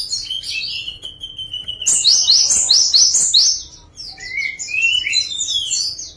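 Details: Java sparrow singing a varied phrase: a sustained thin whistle, then a fast cluster of sharp high chirps, followed by lower rising slurred notes.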